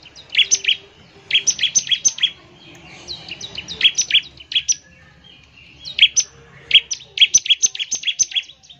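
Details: Bar-winged prinia singing a fast, vigorous song used to prompt other birds to sing: bursts of sharp, high chirped notes in quick runs, each run about a second long, broken by short pauses.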